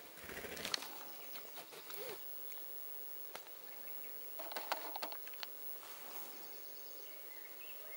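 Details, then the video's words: Spruce grouse displaying at Baraga Plains, Michigan, on 12 June 2018: two bursts of rapid, rustling wing flutters and sharp clapping snaps a few seconds apart, over quiet outdoor background hiss. "Spruce Grouse displaying"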